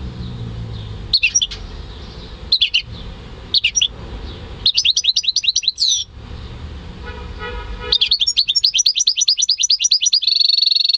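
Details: Home-bred European goldfinch × canary hybrid male singing in May 2015: short bursts of high twittering notes, then a long run of rapid repeated chips ending in a sustained trill, over a steady low background hum.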